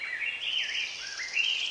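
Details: A bird sings a sweet, continuous warble of rising and falling whistled notes in spring, early morning, claiming territory and telling other birds "I'm here"; spring birds start singing about an hour before sunrise.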